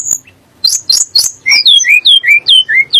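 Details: Sunda blue robin song, said to make magpie-robins and shamas agitated: a few harsh buzzy notes, then a regular run of clear, falling whistles repeated roughly three times a second.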